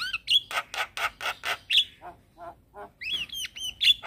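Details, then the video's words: Black-winged starling in captivity giving harsh rasping squawks in a quick series, a sharp whistle, a pause with soft low notes, then high slurred whistles. "Jalak Kebo gacor manggut Manggut Bikin Semangat Jalak Kebo macet Bunyi"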